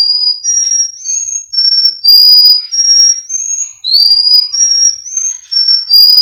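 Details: Russian canary from a Miami, Florida breeder singing for a training recording, pouring out long flowing whistles that change pitch smoothly, several upward swoops joining held notes, almost without pause.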